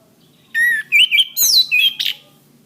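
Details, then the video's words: Orange-headed thrush recorded as a training master for caged birds, delivering a flowing phrase of rich whistles that step up and down in pitch, ending in a bright, buzzy high note. "Suara Bunyi Masteran Anis Kembang"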